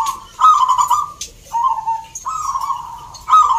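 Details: At a zebra dove song competition in Salatiga, Central Java, caged birds give three trilled coo phrases, each about a second long. Each phrase steps slightly downward in pitch, with brief pauses between them.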